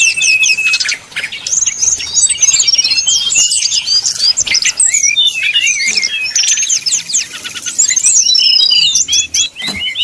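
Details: Brown-chested jungle flycatcher (sikatan rimba dada coklat) singing in the flute-like 'nyuling' style, used as a lure to heat up rivals and get them singing. Dense, rapid high warbles, whistled sweeps and trills run almost nonstop, with short pauses near one and nine seconds.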